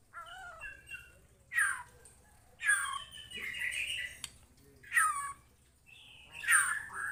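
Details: White-rumped shama responding to a lure recording with separated bursts of sharp, rich whistled phrases, rising and falling, spaced by short pauses, over a faint background hum.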